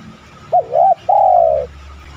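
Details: Spotted dove cooing on a lure recording used to make other doves coo: two short wavering notes, then a longer, smooth, slightly falling coo. The background is quiet.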